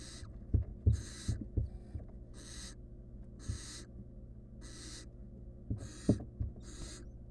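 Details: A wild barn owl nestling with a stolen rodent in a research-monitored nest box makes repeated rasping, noisy hisses, seven bursts spaced about a second apart, with thumps and scuffling knocks from the box between them.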